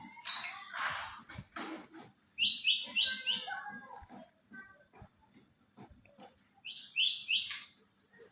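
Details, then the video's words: Champion contest white-rumped shama singing: loud clusters of high, rapid whistled and scratchy notes in short bursts, separated by quieter pauses with soft low background clicks. "murai batu juara"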